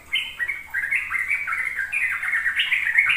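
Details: Sooty-headed bulbul singing in the rapid ropel style, used as a lure so young untrained birds learn to sing: a quick, continuous run of bubbly, warbled notes that jump up and down without pause over faint background hiss.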